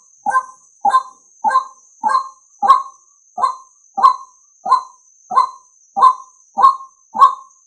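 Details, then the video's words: Male White-breasted waterhen call used as a lure for males: twelve harsh, croaking notes about two-thirds of a second apart, each a short descending burst, with a faint steady high whine running underneath. "Tiếng Quốc Trống Dụ Trống Nhờn"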